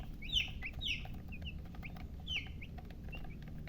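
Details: Baby chickens chirping: a few clear, high, downward-slurred peeps in short bursts, some doubled, over a steady low background hum.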